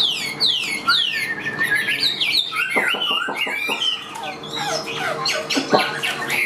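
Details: Hand-tamed caged Chinese hwamei pouring out a varied song: high descending whistled slurs, then a burst of rapid clicking rattles, followed by more ringing whistles and harsh notes.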